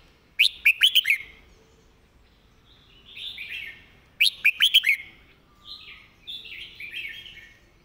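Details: Red-whiskered bulbul with a fast, repetitive master song: a bright run of four or five punchy notes, then a mellow warbled phrase, repeated twice.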